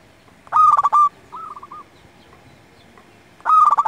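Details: Chatty local zebra dove, used for luring and tutoring other doves, delivers a loud phrase of quick notes ending in a sustained coo, a softer run of repeated coos, then a new phrase begins.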